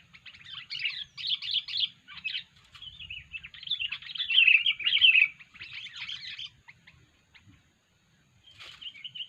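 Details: Unusual 'poin' call of a sooty-headed bulbul, used for luring: uneven bursts of scratchy chatter that swell into a louder warbling run, then silence and a final short chirp.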